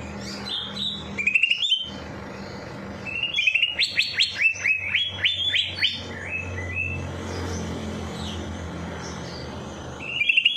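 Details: Songbird singing in an aviary, played to stir a lazy bird into song after its night bath: clear whistled notes, quick descending series of chirps, soft twitters, and a low steady hum in the background.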